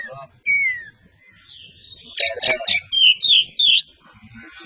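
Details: Caged white-rumped shama (kacer), a champion singer, giving a falling whistle, then a burst of harsh clicking notes followed by three bright rising whistles.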